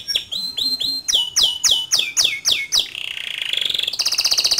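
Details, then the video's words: Male canary, gacor song with ngerol rolling and nembak shots; a row of swooping down-slurred whistles about four per second leads into a dense buzzy trill, then a very high rapid rattle. "Suara Kicau Kenari Jantan Gacor Ngerol Nembak"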